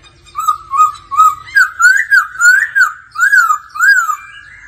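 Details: A laughingthrush sings its daily voice-practice song, a run of about ten rich, slurred whistles rising and falling, roughly two per second, accompanied by a female's low "ro ro" churring heard as a faint low rumble.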